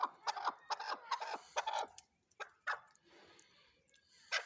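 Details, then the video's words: Chukar partridge uttering low, throaty clucks at about two per second, then a few scattered single notes over a soft background hiss. "chakor# ki# awaz"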